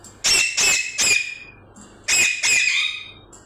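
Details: Parrot calling in rapid raspy squawks, three in a row then two more after a short pause, loud and strident with a slightly drawn-out final note.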